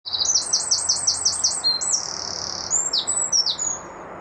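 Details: Songbird singing a bright, high whistled phrase: a quick series of about eight rapidly repeated rising-then-falling notes, followed by a sustained high whistle and a few descending slurred notes, over a faint steady background hiss.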